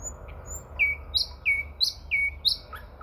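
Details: Common nightingale song near Moscow in early May, a quick run of about five clear whistled notes, each sliding slightly upward and pitched fairly high, spaced roughly three per second.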